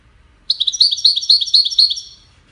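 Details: European goldfinch, widaniya style, among five birds in a song competition; a crisp series of about six quick repeated double notes, bright and tinkling, fading out at the close.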